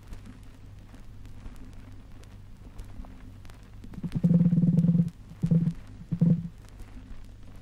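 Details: An emu on a 1968 Australian wildlife vinyl record gives a deep, hollow drumming: one long resonant boom lasting about a second, then two short thumps, over a steady low hum.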